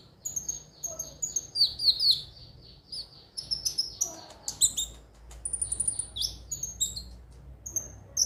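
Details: Lure song of the konin (ruby-cheeked sunbird), meant to stimulate daily singing: fast strings of thin high chirps, repeated notes, then a steady high trill and scattered sharp tweets.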